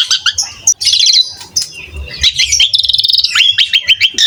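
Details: Asian pied starling (jalak suren), recorded singing prolifically to train young cage birds, gives high-pitched twittering, fast warbled trills and sharp squeaky notes in a busy stream.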